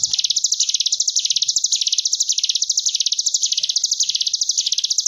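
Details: Ngebren gelombang tawon song of a Sunda bush warbler (ciblek gunung), recorded as tutor material for cage birds: an unbroken, very high, bee-like buzzing trill rising and falling in regular waves, nearly free of background sound.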